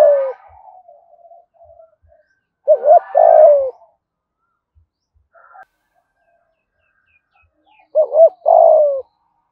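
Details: Spotted dove, Đồng Nai, Vietnam, in 'thúc gù' cooing with 'giọng thổ' voice; two well-spaced phrases about five seconds apart, each two quick bent notes followed by a drawn-out, gently falling coo.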